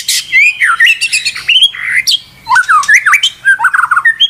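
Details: White-rumped shama (murai batu) song from a bird said to be provoked into nonstop singing: loud looping whistles, harsh squawky notes and quick rising-falling slurs in uneven bursts with brief pauses.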